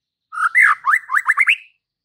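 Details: Persistently singing white-rumped shama meant to stir fighter males to anger: one clear phrase of a held whistle, a dipping slur, then five fast upslurred whistles ending in a drawn-out high note, against a quiet background.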